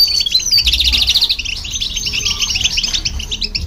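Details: Goldfinch with a hybrid, song for tutoring young goldfinches: a bright burst of rapid chirps and a descending whistle opening into quick tinkling twitters at about three notes a second, low rumble behind.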